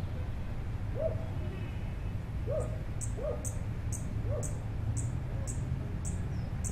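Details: Sparkling violetear (Colibri coruscans) song on the Universidad de Nariño campus, San Juan de Pasto, Colombia: thin, high chipping notes about twice a second. It flutters up with wings and tail, then returns to its perch. Lower upslurred notes from another bird sound over a low rumble.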